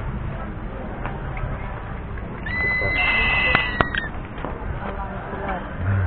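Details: A crested serpent eagle calling gives one long, clear, high whistle that rises slightly and lasts about a second and a half, over a steady noisy background.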